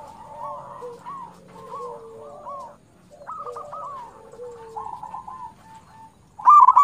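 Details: Local zebra dove song, used to prompt other doves to sing: a run of soft cooing notes that bend up and down, overlapping in places, followed by a sudden louder burst at the end.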